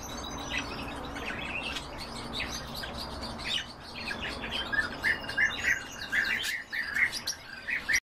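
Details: Pet canaries in song, a lively mix of short chirps and twittering notes that grows into louder, repeated sharp whistled phrases toward the end, with steady background noise.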